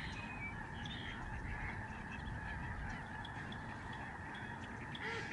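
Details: A spectacular flock of Lesser Snow Geese passing overhead during November 2011 migration at a Canadian bird sanctuary, George C. Reifel. A massed, unbroken honking chorus holds steady throughout, blended with low wind rumble.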